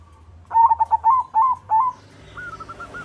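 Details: White zebra dove cooing to stir other doves into song and breeding mood: a quick run of short, rapidly repeated cooing notes over about one and a half seconds, then a fainter second coo phrase behind a low hum.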